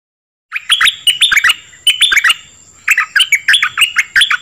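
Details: Dok taeng bird song meant to excite birds and teach young ones: three clusters of rapid, slurred chirps separated by short gaps, each bright and jumpy in pitch, with a faint constant high tone behind.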